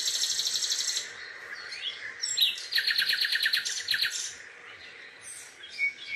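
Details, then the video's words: Songbirds recorded in Songdo: fast trilled phrases of repeated sharp notes, buzzy rattling runs and high whistles, with several birds overlapping in quick succession. "Songdo Birds Song"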